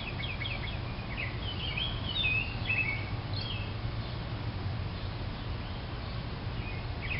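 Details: A house wren in a backyard, where its young have hatched, sings quick, bubbling chatters of high twittering notes in short bursts over a steady low rumble of background noise.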